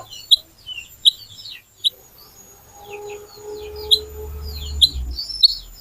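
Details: Little pied flycatcher singing in a sharp, piercing lure style: single high, clipped whistled notes repeated about every second, with soft twittering phrases between them and a low rumble near the end.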